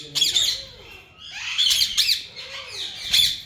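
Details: Breeding pair of yellow ringneck parakeets giving raspy, strident squawks, with three or four bursts spread across a few seconds. Softer, descending chatter runs between the loud notes.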